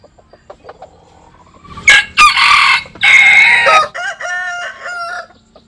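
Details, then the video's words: Japanese-Cuban bantam chicken crowing while sunbathing: short notes, then a loud, hoarse, drawn-out crow in three or four strong bursts, ending in a falling, wavering tail, with soft clucks before and quiet around. "Gà Tre Jap Cuban Tắm Nắng. Gà Gáy/ Chicken Bamboo Jap Cuban Sunbathing. Crow"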